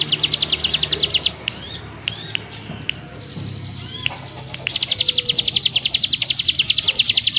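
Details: Firm-voiced ciblek gunung in its dense 'ngebrem' style: a burst of fast, high repeated chips, a pause with a few thin upslurred whistles and clicks, then the rapid chipping resumes strongly to the end.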